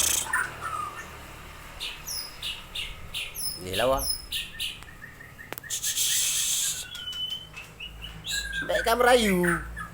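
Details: Long-tailed Aceh white-rumped shama in a showy song style with a rich fill: clipped chirps, steep descending whistles and buzzy trills with pauses between phrases, plus a stretch of broad hissing noise midway.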